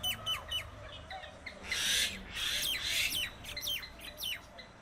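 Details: Common myna mixing two loud, rough squawks with quick downward-sliding chirps before and after. The chirps come in short clusters, and faint background noise runs throughout.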